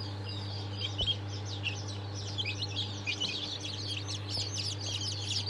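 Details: Just-hatched Sultan, Fizan and İspenç chicks peeping together in busy, high-pitched overlapping chirps, a steady low hum underneath and a faint knock near the first second.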